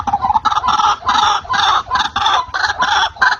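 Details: White-breasted waterhen, a lure call for trapping: loud, raspy, broad notes in a rapid, uneven series with a low background rumble.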